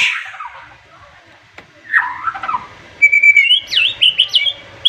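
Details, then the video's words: Murai batu, the white-rumped shama, singing sharply to provoke rivals into answering, recorded March 2021: a fading whistle, a near-silent pause, a warbled phrase, then a quick run of high rising-and-falling slurred whistles. "MURAI BATU OVER EMOSI DENGAR TEMBAKAN nya bikin lawan nya ikutan emosi dan ikutan GACOR"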